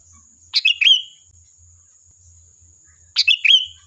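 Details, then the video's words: A sooty-headed bulbul lure song, two quick phrases about two and a half seconds apart, each a sharp chirp then a clear whistle that slides down and levels off, over a faint continuous high hum. "Suara Burung Kutilang Gacor, Pancingan Ampuh dijamin nyaut"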